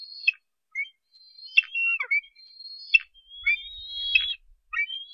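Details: Eaglet of a bald eagle pair at Harrison Bay, filmed by nest cam on 10 July 2015 during a fish delivery: broken, high squeaky whistles and short chirps with downslurred ends, plus faint low bumps from the nest.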